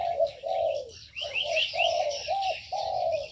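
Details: Ornamental birds kept in an aviary, with loud, drawn-out low coos in quick succession, broken by a few bright, rising high chirps amid soft background twittering.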